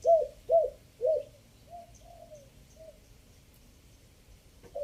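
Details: Spotted dove decoy cooing in the three-note, five-phrase style: three loud, throaty coos in the first second, then softer, longer fading coos spaced apart, and one more coo starting at the end.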